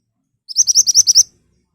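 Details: Ashy tailorbird in vigorous, sharp 'nembak' song meant to lure birds into answering: one quick burst of seven bright, high, evenly spaced chip notes lasting under a second.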